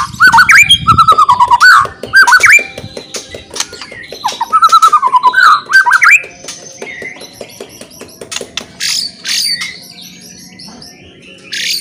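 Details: White-rumped shama, a murai used to provoke rivals, singing loud varied whistled phrases and quick repeated slurred notes in the first half, then softer scattered chips and high squeaks with a faint steady background hum.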